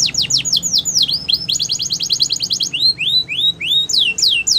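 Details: Canary singing a fast, varied song: rapid downslurred whistles, then a dense trill of evenly repeated high notes, followed by rising swept notes, all clean and loud with no other sounds.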